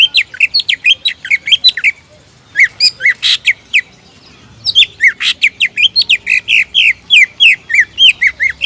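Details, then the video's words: Greater green leafbird song used to provoke opponents into singing: fast repeated whistled notes, a pause near two seconds, a harsh buzzy burst, then long lively chains of rising and falling whistles. "PANCINGAN CUCAK IJO GACOR AMPUH MEMANCING LAWAN AGAR BONGKAR MATERI"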